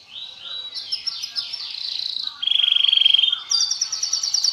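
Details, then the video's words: Canary in high, varied song: rolling warbles lead into a loud, rapid, flat trill, followed by a shimmering high trill. "Kicau Burung KENARI Terbaik, Irama lagunya SANGAT enak di dengar."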